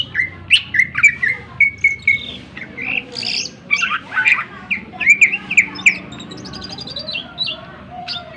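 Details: Greater green leafbird song meant to stir other birds: varied sharp whistles, buzzy squawks and chattering notes in quick succession, tapering to softer sounds near the end, steady low hum in the background.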